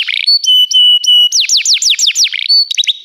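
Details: Canary song from a recording for training canaries: short steady high whistles, then a run of quick descending slurred notes, ending in clipped chirps and a rising whistle.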